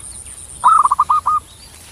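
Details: Zebra dove, the Javan perkutut, giving a short rolling coo: one bright note, then a quick run of about five soft, evenly spaced pulses, all mid-pitched, over faint background hiss.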